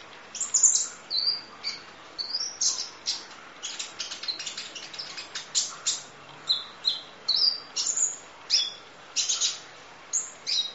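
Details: Long stretch of Kolibri Ninja sunbird song used as masteran training audio in the full-fill 'nembak' style: dense, high, scratchy chips mixed with thin whistles, delivered in quick, uneven bursts throughout.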